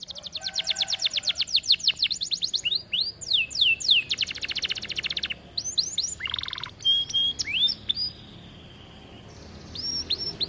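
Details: Aviary canary in full song, recorded for training other canaries: rapid rattling trills of repeated sweeps, a low buzzy roll, then scattered clear whistles and chirps, with quieter gaps and faint background chatter.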